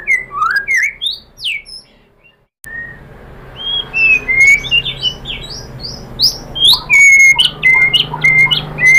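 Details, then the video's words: A White-rumped shama's lure song for stirring other shamas to sing: sweeping whistled phrases, a brief silence, then a long run of high chirps and clear level whistles. "pancingan AMPUH‼️ MURAI BATU ikutan NYAUT GACOR BONGKAR MATERI ¦ PANCINGAN MURAI ¦ SHAMA BIRD"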